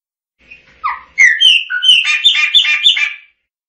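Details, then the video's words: Chopi blackbird singing: a few clear whistled notes sliding up and down, followed by a rapid run of loud, rich, slightly harsh notes about three per second, ending abruptly; faint low knocks underneath. "Tordo Chaqueño Cantando - Chopi Blackbird Singing"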